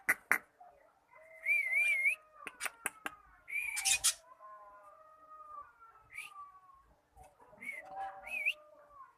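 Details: Cockatiel learning to sing, giving wavering, warbled whistles with quivering pitch, sharp clicking bursts between phrases, and softer sliding tones underneath.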